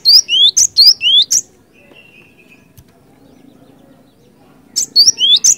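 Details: Lure recording of a Cinereous tit singing ngerol ngeplong: two-note phrases, a high sharp note then a lower rising slur, repeated four times rapidly, a pause with a faint whistle, then the phrase series resumes.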